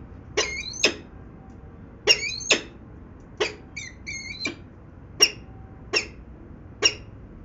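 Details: Peregrine falcons in Venlo, the Netherlands, recorded 19 February 2021 at 14:50: short harsh piercing notes in pairs and singles, one quick chattering burst midway, with steady low hum underneath.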